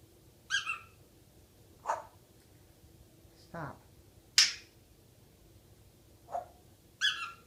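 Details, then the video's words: Pet female African grey parrot indoors, known for talking, burping and singing a kids' song; short separate bursts every second or so: clicks, a brief rising whistle and buzzy voice-like notes with pauses between. "Hilarious African Grey parrot singing "the wheels on the bus go round and round..."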